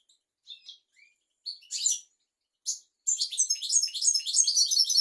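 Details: European goldfinch singing on a tutor recording meant to teach young goldfinches and canaries. A few short chirps and buzzy notes lead into a rapid, continuous, tinkling twitter that runs for the last two seconds.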